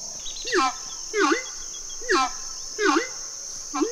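Horned Screamer giving loud, harsh, honking screams, five in four seconds, each a rising-then-falling cry over a steady high insect buzz.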